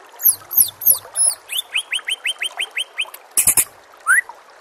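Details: White-rumped shama song used for training other birds, over nature sounds and trickling water: high downslurred notes, then a fast series of short rising whistles, a sudden burst of high chatter and one upward whistle.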